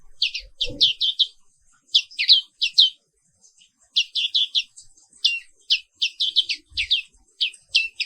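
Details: Black-capped white-eye, an Indonesian endemic, in morning song: rapid bursts of high, sharply falling chirps grouped in threes and fours, separated by short pauses, with a faint knock near the start.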